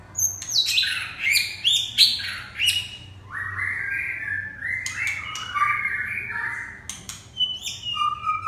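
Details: Red-whiskered bulbul singing a scratchy, chattering phrase of quick squawky notes, then a run of burry warbled notes, with short whistles near the end and scattered clicks.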